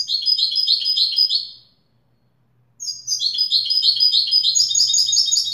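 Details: Wedani-style song from a European goldfinch: two dense bursts of quick, sparkling twittered notes, the first ending abruptly, then a pause of about a second before a longer, louder run.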